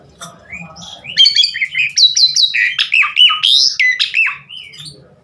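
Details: Javan pied starling song builds from soft notes into a loud, busy run of buzzy squawks, chattering notes and swooping whistles, then trails off.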